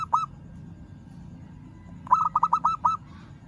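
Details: A local zebra dove calls to challenge a rival, giving one short lone note and then, after a pause, a fast rolling string of about six clipped cooing notes.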